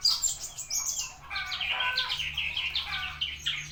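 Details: Javan bushlark pouring out a dense, scratchy warble of high jumbled notes that runs without pause, against a quiet low hum.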